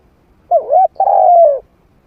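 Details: Trained spotted dove with a medium-pitched voice, used to attract wild doves to fight. One mellow phrase: a wavering two-part coo, a brief break, then a longer smooth coo sliding downward.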